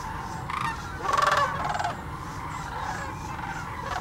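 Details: A sandhill crane among thousands gathered at Hiwassee Wildlife Refuge in Birchwood, Tennessee, gives a loud rolling, trilled bugle lasting about half a second, standing out over the constant murmur of the surrounding flock.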